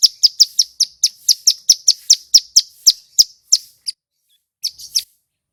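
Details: Male Bar-winged prinia (ciblek gunung), singing loudly and clearly to spur other birds to answer: a rapid train of sharp, high chipping notes, about four each second, slowing near the end with a short pause before a final few notes.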